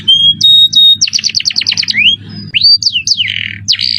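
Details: Canary, 'cengkok mewah' song style: clear level whistles, a fast descending series of chips, then upward-sweeping whistles and harsh buzzy bursts, loud and high above a soft low hum.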